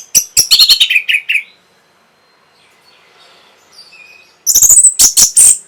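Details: Orange-headed thrush song, played to stimulate breeding arousal and draw a reply: a rapid burst of sharp, high, chattering notes, then about three seconds of near silence, then another loud, fast burst of piercing notes.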